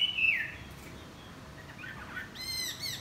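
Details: A Chinese hwamei flapping its wings and singing in the morning gives a loud, clear whistle slurring downward, a pause with faint notes, then a rich burst of ringing, harmonic phrases.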